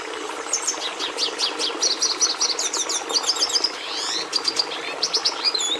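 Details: Red siskin song made of quick high chirps and twittered phrases. Buzzy repeated trills and a downward-sweeping slurred note mark the middle, then staccato chips follow, all over a low continuous hum.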